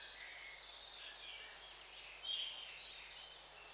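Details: Scattered high, thin calls from long-tailed tits, short sharp notes in small clusters separated by pauses, some softer slurred twitters, with quiet background hiss throughout.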